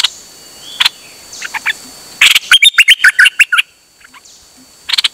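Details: Songbird singing nonstop on a rare outing, 8 September 2023: scattered sharp clicks, then a fast run of whistled and chirped notes about a second long, followed by more clicks.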